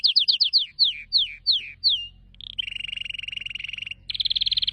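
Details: Canary singing: a series of descending whistled slurs, then a rapid buzzy trill held on one pitch, a brief pause, and a second higher fast trill.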